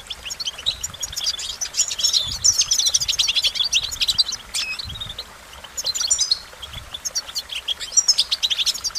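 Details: Goldfinch song: long runs of fast, high twittering and clicking chirps, pausing briefly before resuming with tinkling notes.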